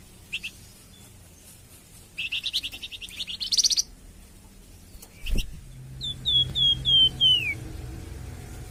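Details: Flamboyan bird (Grey-headed canary-flycatcher) song used to tutor captive songbirds and prompt them to sing: brief high chirps, then a fast buzzy trill, a sharp click, and a run of clear whistled notes stepping downward, over low background rumble.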